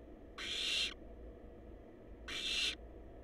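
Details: Live nest-box cam on wild barn owl young: two drawn-out, harsh, breathy screeches close to two seconds apart, each around half a second long, against a faint low hum.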